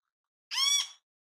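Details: Great kiskadee in natural habitat giving one short, harsh, buzzy call with dense harmonics, lasting about half a second against silence.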